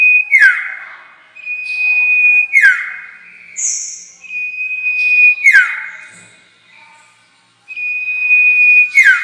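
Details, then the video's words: Sirtu lure call used to attract the bird for trapping: a long, steady, high whistled note that ends in a quick downward-sliding burst. The pattern repeats about every two to three seconds, with a brief higher buzzy note between some phrases. "Pancingan suara pikat burung sirtu"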